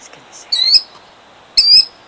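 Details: Two piercing, slightly rising cries a second apart from a killdeer defending her eggs in Jackson, New Jersey, 2008, preceded by faint high chirps.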